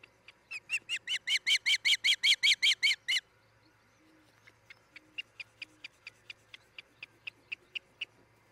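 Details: Osprey at a nest in Charlo, Montana, nest camera, 10 July 2018 around 03:29; a pair building a new nest. About thirteen loud, sharp whistled chirps follow in quick succession, then a pause and a softer, thinner series of chirps, over a faint low hum.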